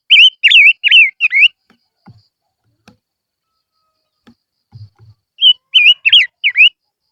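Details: Silver-eared mesia lure song: a run of four wavy whistled notes, a quiet pause with soft low taps, then another four-note warbled phrase.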